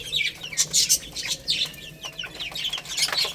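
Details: Little chicks chirp busily while playing and eating. Quick, high peeping notes tumble over one another in overlapping bursts, with faint rustling below.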